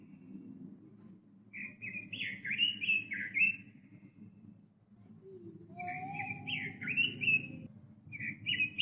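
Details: Pekin robin (red-billed leiothrix), a popular songbird with hobbyists, delivers three bright warbling phrases separated by pauses, each a quick run of slurred whistled notes. A lower, short whistle sounds between phrases, with a faint low hum throughout.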